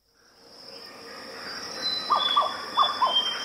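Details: Grey plantain-eater calling, the cu-mcu call: four short, hoarse, slightly downslurred notes spaced about a third of a second apart, entering late after a quiet start, over a steady high-pitched insect whine.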